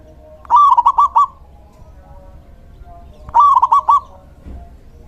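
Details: Lively song of a male local zebra dove, used to attract wild zebra doves and stir rivals: two bubbling phrases of five clipped cooing notes, the second about three seconds after the first, with soft low rumble beneath.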